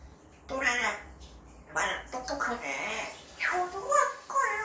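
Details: Pet parrot indoors, known for picking up untaught words daily. A run of rapid, speech-like babbled syllables in several bursts, nasal and harmonic, ending in short higher-pitched tonal notes.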